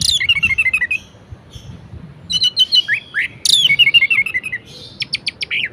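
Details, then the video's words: Energetic orange-headed thrush song aimed at prompting idle birds to sing: cascading descending chirp runs, buzzy rattles and sharp high clicks in quick succession. "Anis Merah Gacor Variasi Bangkitkan Emosi Anis Malas Bunyi Agar Rajin Berkicau"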